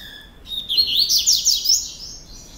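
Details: A captive double-collared seedeater from a breeder's stock, called a "procurador" singer, sings a fast, bright two-second phrase of high, sweeping twitters and buzzy trills over a faint low background hum.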